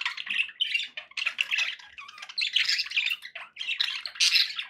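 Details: Pet budgerigars chattering indoors: dense, scratchy warbling with squawks and chirps in quick irregular bursts, broken by short pauses.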